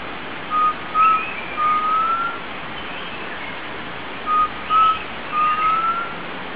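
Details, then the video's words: Undulated tinamou (Crypturellus undulatus), free in the wild near Frutal, Minas Gerais, gives two mellow whistled phrases of three or four notes, the later notes longer and rising, repeated after a pause, over a steady hiss. "jaó souto na natureza"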